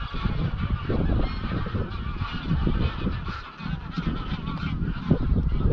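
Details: Evening flight of a large flock of greylag geese, roughly 200–300 birds, leaving a grazing field for Llyn Maelog, Anglesey, at dusk; a continuous chorus of harsh honking over strong, steady wind noise.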